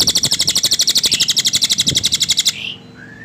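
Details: Cililin bird trilling, a fast, grating series of pulses at about four per second of beat, running two and a half seconds and ending in a brief upslurred whistle.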